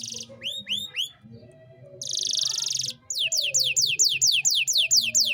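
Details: Canary singing energetically in the 'cengkok mewah' style used to tutor young songbirds: a few rising whistled upsweeps, a dense buzzy burst, a pause, then a quick series of high, sharply descending notes repeated about twice per second.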